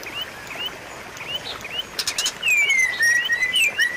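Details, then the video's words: White-rumped shama: soft rising whistles early, a brief harsh rattle, then loud, long, sweeping whistled notes sliding down and up in a rich phrase. "pancingan dan masteran murai batu macet bunyi"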